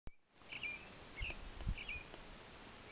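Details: Willow flycatcher (Empidonax traillii) on Elk Creek Ridge Road, Coos County, Oregon, 13 June 2020, giving three short, dry 'whit' notes about two-thirds of a second apart over low background rumble.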